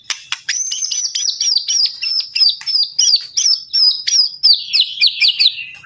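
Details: Singing male white-rumped shama delivers a fast, sustained series of high, sharp whistled notes, steady in pitch and dropping slightly near the end, punctuated by clicking ticks.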